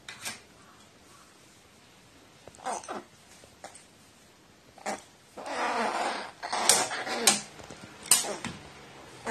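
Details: A crow acting like a nestling when given water, recorded 29 March 2018 indoors: scattered clicks, then a run of harsh, hoarse, broadband calls in short bursts, close and loud.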